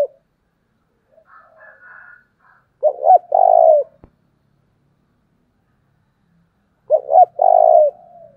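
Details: Decoy spotted dove giving the thúc call used to provoke wild doves: two loud cooing phrases about four seconds apart, each two quick notes then a long, rolling, purred coo. Softer, higher cooing sounds early on.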